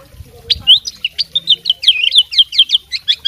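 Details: A fighting oriental magpie-robin in full voice, singing a mimicry-filled repertoire: a steady run of crisp, high, slurred whistle notes, about four per second, each sharply rising or falling.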